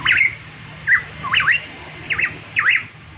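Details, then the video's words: Variable pitohui in full song: loud, slurred, squawky whistles that swoop up and down, about five phrases in three seconds, over a low background hum. "burung pitohui variabel gacor"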